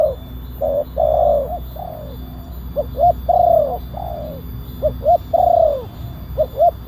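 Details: Spotted dove calling recording in the big-voiced kuk 1 style, meant for luring wild birds and training caged ones: rounded coos in uneven bursts, short doubled notes alternating with drawn-out descending ones, low background hum throughout.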